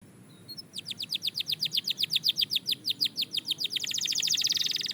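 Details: A Belgian canary singing during daily training: a rapid, even run of about twenty sharp, high chipped notes, speeding into a dense buzzy trill at the end.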